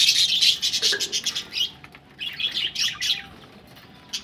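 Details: Budgerigars ready for laying eggs, giving dense, chattering warbles and chirps, high and busy, with overlapping bursts in the first half and a quieter scatter of chirps later.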